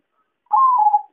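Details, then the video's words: Zebra dove (perkutut) lure call for bird trapping: one smooth, fluttering coo lasting about half a second, slightly higher at the start and sliding lower. "suara pancingan dan suara pikat perkutut paling ampuh"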